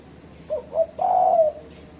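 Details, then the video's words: Spotted dove call used as a trapping lure to challenge rival birds: two short low notes followed by a longer, steady, hollow coo, one phrase lasting about one second. "Suara Burung Terkuku Menekan Lawan Ampuh untuk Pancingan"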